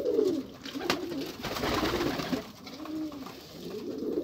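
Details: Pigeons, apparently indoors, give low cooing phrases at the start and end, soft rolling hums around a gentle pulsing pattern, with broadband rustling in the middle.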